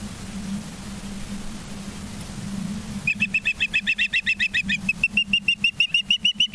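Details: Ospreys at a nest in Charlo, Montana, on 19 September 2023 at 20:14: after steady low hum, a rapid series of sharp whistled chirps starts, about three per second, continuing evenly to the end.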